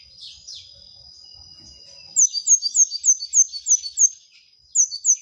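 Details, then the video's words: Gacor masteran singing by a brown-throated sunbird. Soft twitters give way to a quick run of piercing high descending notes, about three a second. A short pause follows, then two more notes. "Kolibri Ninja Gacor Masteran"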